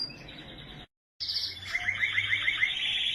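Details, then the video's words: Canary in Norway delivering sustained high song: a steady buzzy tone, a short silent gap, then fast rhythmic rolling trills pulsing several times per second. "Canary singing in Norway"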